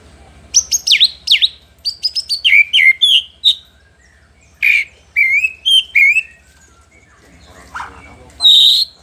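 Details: White-rumped shama song used to provoke rival males: bursts of loud, sharply falling and rising whistles in quick phrases, a quiet gap, then more clear whistled notes and a final bright whistle.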